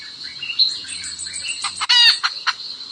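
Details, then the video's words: A hen calls for the rooster. Soft chirps and a constant high hiss lead into one sudden loud, harsh cry. A few short clucks come after it. "Suab poj qaib seev tsauj zoo-Tiếng gà mái keo gọi trống"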